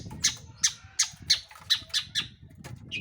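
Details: Long-tailed shrike, a singing lure meant to provoke other birds into song: rapid harsh, raspy notes repeated about three times a second, then trailing off, over a low background rumble.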